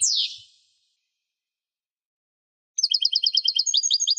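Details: European goldfinch song: a short downward-sweeping buzzy note, a long silence, then a fast, high twittering run of alternating tinkling notes, evenly repeated; nothing else audible.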